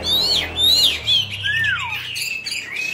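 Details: Oriental magpie-robin, a 'Bạch Bạng' cage bird, sings during a tail-fanning display. Pure high whistles rise and fall, then one long whistle slides downward, followed by softer warbling over a low rumble.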